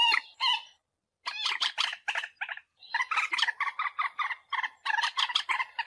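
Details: Common moorhen call used as a lure for bird hunting: harsh, gurgling clucks in quick bursts, a brief pause, then a rapid run of croaking notes about four per second.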